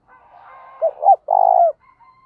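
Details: Morning decoy spotted dove cooing to lure wild birds: two short rising coo notes, then a long vibrating coo that falls away, over a faint murmuring background.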